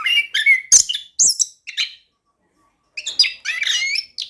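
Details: Orange-headed thrush in vigorous 'gacor' song with rolling 'ngerol' style, used as a lure to get reluctant birds to sing: bursts of rich whistled and chattering phrases, then a pause of about a second before more squeaky notes.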